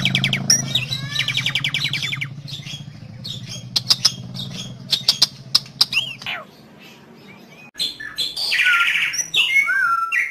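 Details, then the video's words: Asian pied starling in full loud song, used as a lure to get starlings singing: sharp clicks, slurred whistles and harsh chattering notes over a low buzzing hum. "Jalak Suren Gacor Keras"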